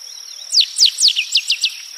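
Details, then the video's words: A rusty sparrow sings a rapid string of descending slurred whistles, three drawn-out ones then four clipped notes speeding up, with a constant high-pitched insect drone behind. "O canto do Tico Tico avermelhado ( Aimophila rufescens )"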